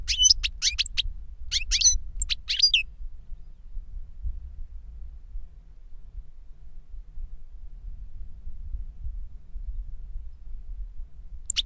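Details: Older goldfinch singing to teach a younger goldfinch: about three seconds of quick high twittering notes in short bursts, then near silence with a low background rumble and one brief chirp at the end.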